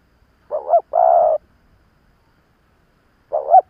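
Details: Spotted dove, a seasoned decoy bird calling to lure and provoke wild birds: a short wavering two-part note, then a long steady low coo, with the opening note returning near the end over silence.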